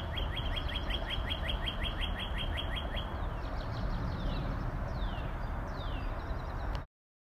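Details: Fast string of repeated clear slurred whistles from a Northern cardinal, followed by several long, sweeping downslurred whistles spaced about a second apart, against continuous low-pitched background noise.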